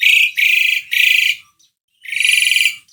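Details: Asian pied starling singing to prompt another bird: three rasping, buzzy bursts in quick succession, a brief pause, then a fourth long harsh burst.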